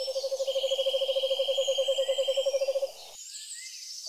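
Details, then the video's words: Owl giving a rapid, steady low trill of evenly spaced pulses, about seven per second, for nearly three seconds, with a high thin whistled tone running above it and quieter high squeaks in the background. "The Most Beautiful Owl in The World And Its Voice"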